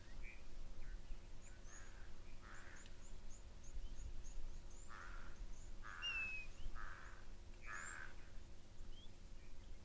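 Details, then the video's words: African grey hornbill giving plaintive, raptor-like whistled notes in short bursts over a deep low rumble, with thin high chirps from smaller birds; the call is often confused with birds of prey. Recorded at a waterhole with elephants nearby. "You can hear a grey hornbill calling. It's quite raptor-like, often confused with birds of prey."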